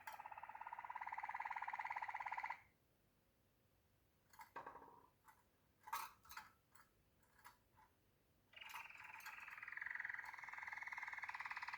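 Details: Waterslager canary song, soft and indoors: sustained rolling, bubbling tones open and close the phrase, with a quiet gap broken by scattered short clicks and notes in the middle.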